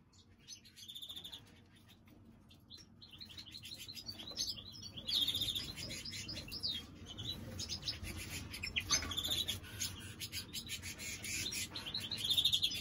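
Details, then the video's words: Greenfinch hybrid delivering a fast, rambling song of high twitters, buzzy trills and sharp chirps, growing louder midway, over steady low background hum. "هجين الخضري اللهم بارك Green finch mule"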